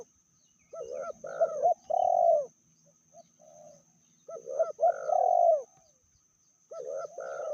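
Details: Spotted dove female, said to be more aggressive than males, delivering three mellow cooing phrases, each of two or three short notes swelling into a broad, slightly descending coo, separated by short silences.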